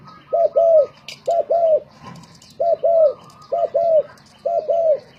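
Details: ['Spotted dove used as a decoy in a singing contest, repeating a paired coo, a short note then a longer arched one, roughly once per second. A faint sharp chirp and quiet rustling sound in the background.']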